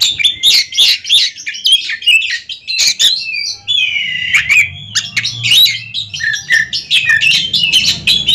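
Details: Oriental magpie-robins in a two-bird song competition duel: dense, loud run of high chirps, trills and sharp squeaky whistles, with a sustained slurred whistled phrase mid-way, delivered almost without pause; faint low background hum.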